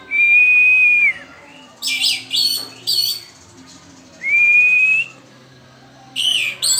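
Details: Young orange-headed thrush learning the pelong style, holding a long, level, clear whistle for about a second, then short buzzy bursts, a second long whistle that rises slightly, and more harsh notes at the end.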